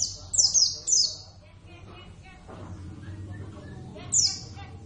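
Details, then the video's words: An Oriental white-eye, Zosterops palpebrosus javanus, kept at home and singing keenly, opens with a rapid string of five tiny high chirps, then falls quiet before one last shrill falling note. "plecit gacor"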